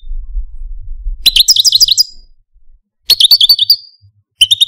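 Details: Pet male Algerian parva goldfinch giving short bursts of song: quick run of bright, bouncing twittered notes, a silent gap, a similar phrase ending in a drawn-out whistle, then a brief third snatch.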